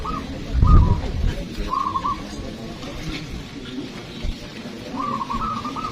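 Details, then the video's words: Zebra dove (perkutut) song at a local singing contest: separate trilled, bubbling coo phrases at intervals of a few seconds, a loud low thump near the start, people talking faintly underneath. "Lomba Burung Perkutut Lokal"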